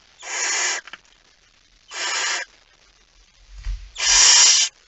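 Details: Barn owl at 23:55 on 17 September 2019 as the male arrives carrying a mouse; three breathy rasping hisses, each over half a second, about every one and a half seconds, with a soft thud before the last.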